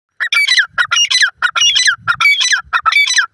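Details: Female Indian francolin calling: loud, harsh, harmonic-rich notes in quick repeated phrases, each phrase bursting several squawky syllables, about one and a half per second, with short silent gaps between.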